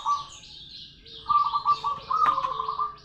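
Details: Local zebra dove singing actively, a long rolling song: a short purring burst, a pause, then a longer steady trill, level and slightly wavering, over faint higher chirping and a soft click.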